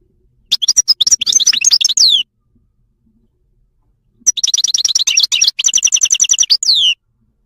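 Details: Wild Moroccan goldfinch singing two bursts of rapid, twittering high notes separated by a two-second pause; varied liquid trills, a fast repeated buzzy stretch, each phrase ending in a descending slurred note. Clean background, no other sounds.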